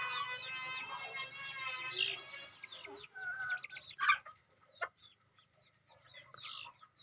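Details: Young crossbred decoy red junglefowl, around two months old: a wavering harmonic call opens, then scattered high chirps and a few sharp louder notes, with a low steady hum underneath.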